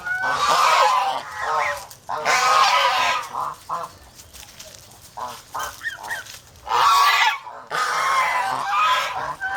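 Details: Protective domestic geese from a Philippine farm make loud grating honk bursts, a quieter stretch of scattered short honks in the middle, then two more harsh outbursts.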